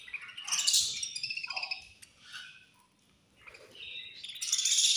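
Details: Budgies chirp as they eat and fight: sharp bright squeaky bursts at the start, a quieter stretch of soft chatter, then loud high chirping again.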